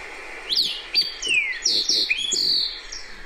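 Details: Fox Sparrow song, a bird of riparian areas: big, clear looping whistles that slur downward, followed by a rich, varied run of sweet notes over about three seconds.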